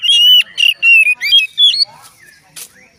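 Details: Singing Oriental magpie-robin whose song is claimed to set other magpie-robins singing; clear whistled notes in a rapid string of rising and falling phrases, fading to scattered softer chirps.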